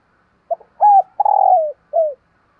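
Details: Morning cooing from a decoy spotted dove calling in wild birds. One full phrase: clipped opening note, steady hoot, drawn-out vibrating coo that drops in pitch, and a short descending closing coo. Quiet surroundings.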